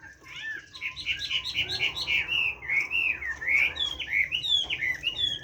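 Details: Chinese hwamei kept in captivity, forest-style song: rapid series of bright repeated whistled notes building into varied rising and falling slurred phrases, continuous and loud, over a low background hum.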